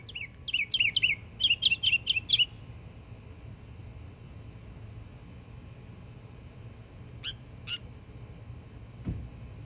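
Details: Yearling northern mockingbird in Florida singing: a quick burst of bright chirped notes repeated several times over two and a half seconds, then long quiet with low rumble and two faint isolated chips later.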